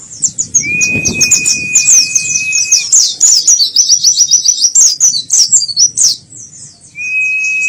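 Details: White-eye, a kept songbird, singing a rapid, high twittering warble of tumbling thin notes, with a long steady whistled tone held beneath it at the start and again near the end.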